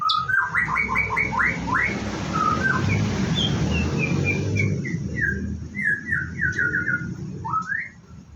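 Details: White-rumped shama, morning routine before bathing: bursts of rapid rising whistled notes, a stretch of sliding whistles partly masked by loud broadband noise, then more quick upswept phrases.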